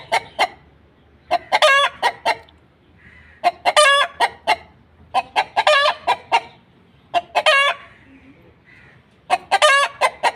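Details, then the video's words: Repeated egg-laying cackle from a hen. Five bursts come about every two seconds, each a string of short clucks wrapped around one long, loud, nasal squawk. "Hen Clucking Sounds | Chicken Sound | murge ki awaaz | hen egg"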